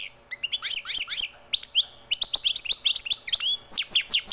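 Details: Wild European goldfinch in nature singing a rapid, tinkling twitter of high, bouncy slurred notes, liquid trills and sharp chips tumbling over each other without pause.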